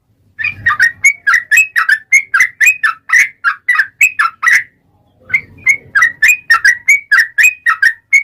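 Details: Yellow-vented bulbul singing a long gacor ropel phrase, used as a lure to coax other bulbuls into song: quick bubbly chirps at nearly four per second, a half-second pause, then another equally brisk run.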